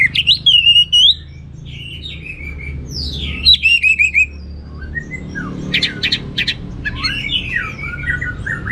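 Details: Orange-headed thrush pouring out lively teler-style song with rich mimicked material: bright arched whistles, a down-slurred sweep followed by quick notes, then softer scratchy twitters and chips amid a steady low hum.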